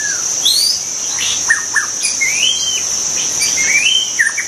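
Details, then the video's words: Wild white-rumped shama song: sweeping upslurred and downslurred whistles, some high and thin, mixed with short sharp notes, against a continuous high buzzing of insects. "kicau burung murai batu di alam liar"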